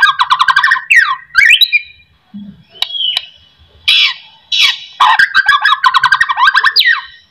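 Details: White-rumped shama (murai batu) song played as a lure to make lazy shamas sing: rich bursts of rapid whistled and chattering notes, sliding phrases and sharp clicks, separated by short pauses.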